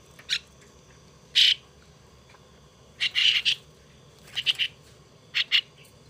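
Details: A young pet starling under hand-rearing produces irregular rasping, scratchy bursts, single or in quick groups of two to four. Quiet gaps of about a second fall between them.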